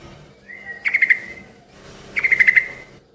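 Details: Yellow-vented bulbul, a lively lure to set other bulbuls answering: a thin rising whistle followed by four quick sharp chirps, repeated twice, over soft background hum.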